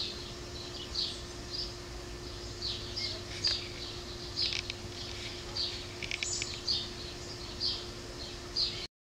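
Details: Two young rescued great horned owls at a wildlife rescue center give short, raspy, high-pitched hisses about once a second, over a steady low electrical hum.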